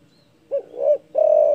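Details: Loud spotted dove call meant to rile rivals: a brief hoot, a swelling second hoot, and after a short pause a drawn-out, even coo. No other sounds.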